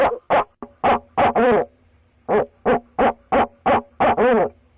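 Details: Male barred owl calling for his mate at a nest box: two bursts of brisk, hollow hoots, each ending in a longer, quavering note, with a pause of about a second between bursts.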